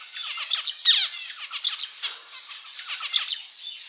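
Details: Short unbroken stretch of male zebra finch song from a pet bird: rapid nasal, trumpet-like buzzes and falling chirps repeated several times a second, with one louder harsh note near the one-second mark.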